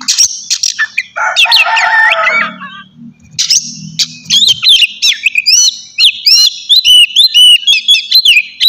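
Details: Morning song of an Oriental magpie-robin, a loud 'ngeplong' performance to rouse other birds: scratchy tangled warbles, then a long run of bright clipped whistles repeated in quick succession.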